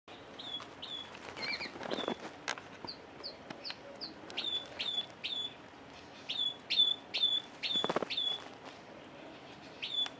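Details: Red Factor canary, a caged male fed without red factor food and so orange, singing early in the morning: fairly quiet, high whistled notes and short downslurred chips in spaced series, with some clicks and room noise.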